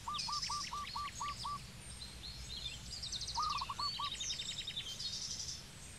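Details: Zebra dove, Cambodia: a row of seven evenly spaced short low coo notes, then a faster rolling burst of beats, with other birds chirping and trilling brightly higher up throughout.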